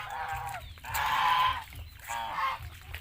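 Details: Geese on a farm in Asia: three nasal, drawn-out honks, the middle one longest and loudest, over a steady low rumble.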